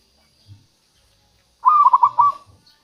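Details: Zebra dove of a local strain, sound used for luring wild doves: one brief phrase of rapid, bubbling coo notes at a steady pitch after a near-silent start.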